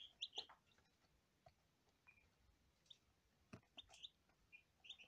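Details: First-day lavender Ameraucana chicks peeping: a quick cluster of sharp high notes at the start, then a sparse run of thin chirps near the end, with light tapping between.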